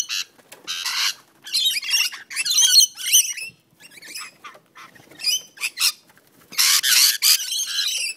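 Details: Rainbow lorikeets fighting in a backyard on the Central Coast, New South Wales: irregular bursts of shrill, harsh screeching separated by brief pauses, ending in a loud, dense screech.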